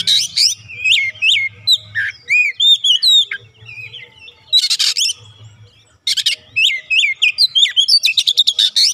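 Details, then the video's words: Oriental magpie-robin, a raw untrained 'bahan' bird, quickly joining in with lively 'gacor' song. Varied whistled slurs and trills are broken by loud scratchy, buzzy outbursts and end in a rapid chattering run, over a low hum. "KACER bahan langsung ikutan gacor"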